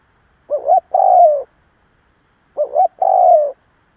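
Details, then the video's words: Spotted dove used as a lure bird to provoke other doves, cooing: two deep phrases, each a short double hoot followed by a longer drawn-out coo falling slightly in pitch, about two seconds apart. "Cu gáy gù gáy kích bổi cực mạnh / Tiếng cu gáy hay kích bổi / Cu mồi thúc gù kích cực mạnh"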